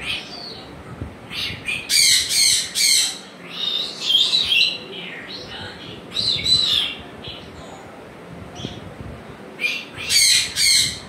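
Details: Pet African grey parrot producing repeated harsh squawks and shrill chirping notes in irregular bursts, with a person speaking nearby.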